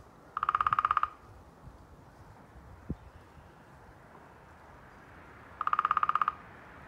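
A Downy Woodpecker drums two short, rapid rolls, each under a second long and about five seconds apart. A single faint tap sounds between them against a quiet background.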